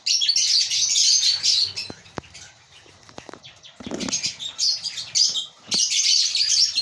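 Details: African lovebirds in a breeding colony chattering in dense bursts of shrill, high chirps, with a lull mid-clip broken by sharp clicks and scrapes before the squeaky chorus swells again.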